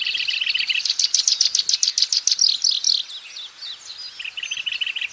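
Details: Black-browed reed warbler singing vigorously in the wild: a fast run of harsh, repeated chattering notes, high and scratchy, slowing into a softer churring phrase before another burst starts.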